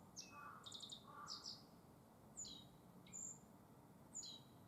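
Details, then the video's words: Black-faced bunting (Emberiza spodocephala) singing in spring at Tenjinyama green space, Sapporo, Hokkaido, Japan: short high, sharp chirping phrases with brief trills, spaced about a second apart, over quiet low background hum. "Birds Chirping Sound in Sapporo Tenjinyama. Emberiza spodocephala【天神山で見られる鳥 その1】アオジ"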